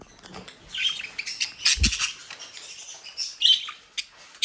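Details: Several mischievous captive-bred budgerigars in Den Haag, South Holland, Netherlands, give scattered high chirps and short squawks among sharp clicks, a low thud and brief wing flutters.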